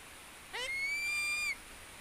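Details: Philippine eagle under gentle stroking from head to foot releases one clear, piercing whistle. It rises steeply at the start, then stays long and even for about a second, closing with a small upward slide, over soft background hiss.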